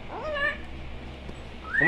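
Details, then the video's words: A talking parrot with its owners gives two short, voice-like utterances that slide upward in pitch, one at the start and one at the end, over a quiet room background. "Lora HABLANDO con Papa y Mama"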